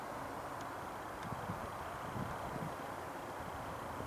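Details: Steady low rumble resembling distant traffic or a passing train, with broadband hiss and no animal calls.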